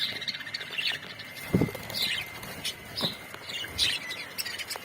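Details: Colony budgies chirping in short warbled bursts about every second, with a few low thumps and a steady thin background tone.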